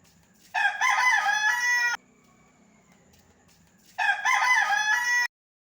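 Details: Rooster roaming a village street gives two loud crows, each about one and a half seconds long, harsh and strongly harmonic, with a pause of about two seconds between them.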